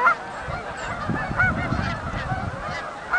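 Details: Canada geese arriving at Oak Hammock Marsh and Fort Whyte, heard as a steady mass of distant overlapping honks, with a few sharper clear notes standing out roughly every one and a half seconds over low rumble.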